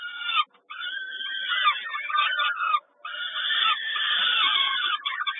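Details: Peregrine falcon chicks at feeding time in Kawęczyn, recorded 10 May 2022: harsh, wheezy, continuous rasping screams, nearly unbroken apart from two brief pauses.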